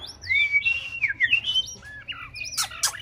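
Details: Practice singing by a six-month-old white-rumped shama: a flowing run of looping whistled notes, then scratchy, harsh bursts near the end, with a low background drone.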